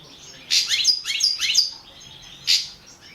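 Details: Caged balcanica goldfinch singing for a 2017 world championship entry; a quick run of three bright chattering phrases followed by a single sharp twitter.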